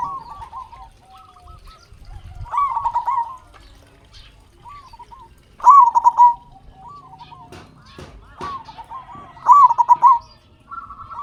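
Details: Local Indonesian zebra dove in loud song, used to rouse silent captive perkutut; several doves trade stuttering rolling coo phrases, the loudest bursts recurring about every three to four seconds, with occasional clicks.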